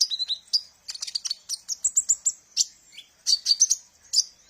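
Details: Sunbird song used as a lure for training birds, with quick high chirps, short whistled slurs and bursts of rapid twitter packed closely together.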